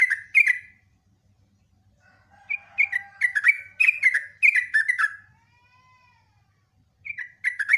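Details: Sooty-headed bulbul in lively lure song, long phrases of gurgling, slurred whistles, with a few fainter pure drawn-out whistles heard during a pause.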